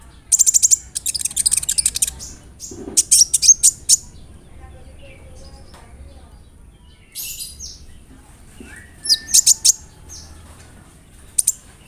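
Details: Sunbird (kolibri ninja) lure song used to provoke a bird to sing, with rolling and imitated cricket, sparrow and other fill-in phrases; very high, rapid ticking bursts and thin trills separated by quiet pauses, faint low hum.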